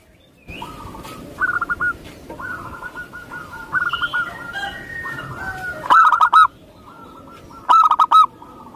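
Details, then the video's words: Perkutut lokal, the local zebra dove of Indonesia, sings rippling series of short coos, soft at first under steady hissing noise, then two louder, crisper phrases. "Perkutut lokal"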